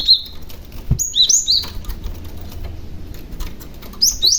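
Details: {'caption': 'Young cinereous tit calling to lure others of its kind: a high whistle at the start, a cluster of quick descending whistled notes near one second, and another pair at the end, with a wing-flap thump.'}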